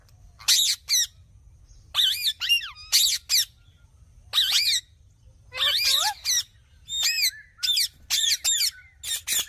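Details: Green parrot uttering harsh, buzzy squawks in pairs and short groups, separated by silent gaps of a second or two.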